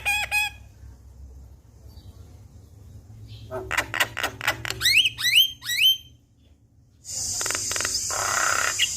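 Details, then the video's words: Javan myna song meant to get a silent myna singing: a short mimicked chirp, quiet pause, then a burst of clicks and sharply rising whistled notes, ending in a harsh hissing rattle. "Jalak Kebo Full Isian Bikin Jalak Bisu Buka Suara"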